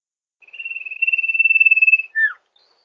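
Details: Sirtu call used as a master recording and lure for catching birds in rice fields: a long, steady, pulsing high whistle held about one and a half seconds, then a short downward-slurred note.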